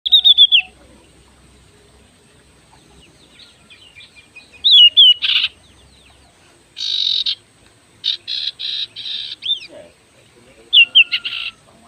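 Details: Oriental magpie-robin of the kacer sirtu type in active, full song. Clear whistled phrases alternate with harsh, buzzy rasping bursts, including a run of five quick rasps near the middle. Pauses separate the phrases, and the background is quiet.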